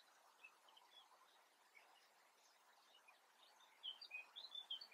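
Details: A European crested tit in the Eifel gives a quick burst of thin, high chirps near the end, after several seconds of faint, soft background hiss with scattered distant twitters.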